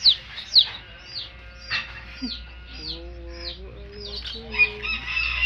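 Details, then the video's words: Chicks accompanying a hen make a few loud high down-slurred peeps, then softer ones, while lower steady tonal notes sound through the middle stretch. "LOVELY Hen Baby Chicks, Witty MURGI Baby "Chicks Chirping" Sound"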